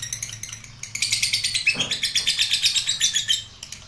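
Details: Lovebird in an extended ngekek: a continuous stream of rasping, high-pitched chattering notes, brisk and unbroken for most of the clip before fading slightly at the end.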